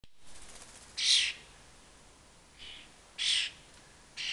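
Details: Young common starlings begging around a fat ball while following their parents, the family nesting four floors up; harsh, hissing broadband screeches in short bursts, three loud and one softer, with quiet gaps between.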